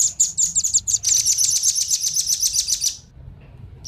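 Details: Male and female velvet-fronted nuthatches giving a wild-bird lure call: a rapid, unbroken three-second rattle of thin, very high chit notes, gradually fading, then one last faint chip.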